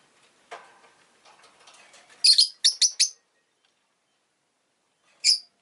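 A rosy-faced lovebird gives a quick burst of four shrill, harsh chirps, then one more after a pause, following soft rustling.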